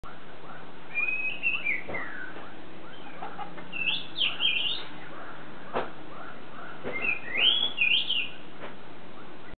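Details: An Oriental magpie-robin, singing in the evening from a branch it used to visit daily, gives sweet, varied whistled phrases, some rising and some slurred, every few seconds, with soft clicks and a low background hum.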